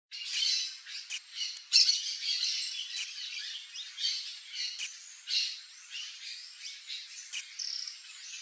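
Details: Variable oriole (Icterus pyrrhopterus) calling: a dense run of harsh, scratchy squawks and chattering notes, in loud bursts roughly every second, with short clicky accents and no low-pitched background.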